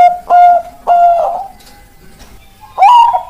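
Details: Zebra dove, Bangkok type, giving two long drawn-out coos that trail off, a pause, then a rising wavering coo beginning a new phrase.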